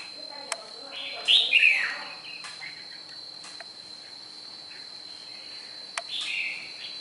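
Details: A red-whiskered bulbul from Nghệ An, Vietnam, delivers one loud, quick, bubbling warble, then a long pause with sharp clicks and a softer phrase near the end. A thin continuous high tone persists throughout.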